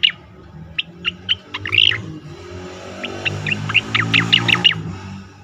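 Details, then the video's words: Asian pied starling song used for training competition birds: short sharp whistled notes and chirps scattered across five seconds, with a quick warbled cluster near two seconds, over a low steady hum. "khas cica koreng suara shahduh sangat bagus untuk masteran burung lomba"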